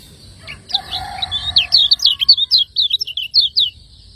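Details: Lemon-bellied white-eye, a cage bird from Lombok, singing as a master recording for training birds: a rapid series of high, sharp chirped notes repeated about six per second, preceded by a few lower scratchy notes.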